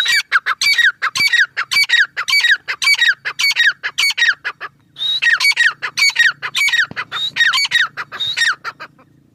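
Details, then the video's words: Grey francolin in the last month of its breeding season gives loud, harsh, ringing notes in a rapid, urgent series with a short break midway, over a faint low hum. "Teetar ki awaz | teetar sound"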